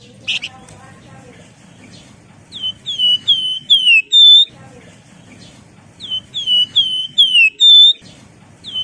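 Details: Javan wergan singing to call rivals, used as a lure: two phrases of clear whistles, each a run of falling slurred notes ending on a steady higher tone, separated by a few seconds of low background rumble.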